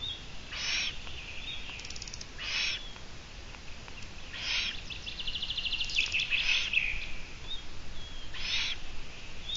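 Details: Long-eared owl heard on a live camera stream at midday on 17 June 2017: short rasping, hissy calls repeated about every two seconds, mixed with buzzy trills of small songbirds.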